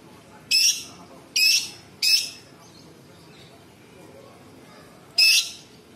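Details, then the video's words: Cucak cungkok bulbul in a busy masteran song with harsh shot-like notes: three rasping high bursts in quick succession, a long pause, then a fourth burst, over faint steady hiss. "Cucak cungkok istimewa gacor variasi tembakan istimewa tajam kasar rapat super pedas full isian"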